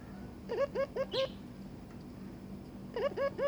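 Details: Barbary dove inviting its paired mate to mate, giving two bursts of four short, hooked, rising notes separated by a quiet gap, over a steady low background hum.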